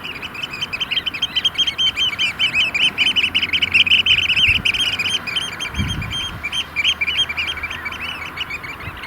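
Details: A flock of at least 30 Eurasian oystercatchers in courtship display at a large sandpit lake near Vriezenveen, Netherlands, at barely 5 °C amid rain and hail showers. Shrill, rapid piping runs on in a continuous trill, with occasional low rumbles.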